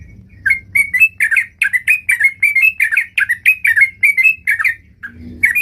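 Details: Energetic, varied sooty-headed bulbul song: clear chirps spaced about every third of a second, some rising and some falling, ending in a short pause and a faint rustle.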